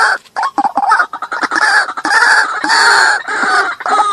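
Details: White-breasted waterhen calls from a lure recording meant to attract and agitate waterhens: a few quick clucks build into sustained harsh, nasal croaking, loud and nearly continuous through the second half.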